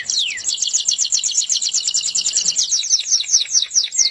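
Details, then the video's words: Canary in sweet song: a fast, unbroken stream of high trilled notes repeated rapidly, with a down-slurred whistle at the start and a bright, ringing quality throughout. "suara burung kenari merdu"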